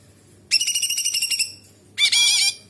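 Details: Cucak cungkok bulbul bursting into a sharp high pulsed trill lasting about a second, then after a short gap a dense shrill buzzy phrase, part of an active song with kapas tembak imitation.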